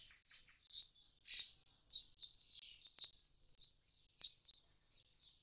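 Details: At a nest box its fledged young have left, a common starling gives a busy stream of high, squeaky, scratchy notes punctuated by loud clicks, phrases running together without pause.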